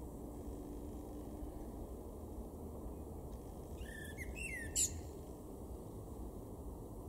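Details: Male common blackbird in a garden at Weener, East Frisia, northwest Germany, April 2022, giving a single brief phrase of mellow whistled notes ending in a sharp high squeak, surrounded by quiet stretches of low rumbling background noise.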